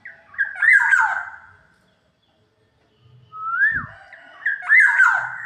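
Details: Indonesian black-naped oriole singing on Saturday 4 April: two loud phrases of slurred, rising whistles with rough, squawky overtones, separated by a brief silence, with a faint knock between them.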